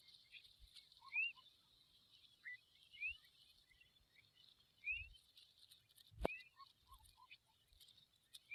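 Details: Familiar chat fledglings outside the nest give short, thin, upslurred chirps about every two seconds, with a few softer low notes, a sharp click, and a steady insect-like hiss behind.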